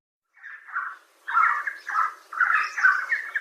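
A Red Spurfowl gives a run of harsh, raspy, mid-pitched notes, about two a second, growing louder as the series goes on.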